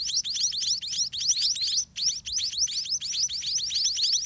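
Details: White-rumped munia nestlings begging at feeding time, a quick, dense series of high, thin upward-slurred chirps with one short pause midway.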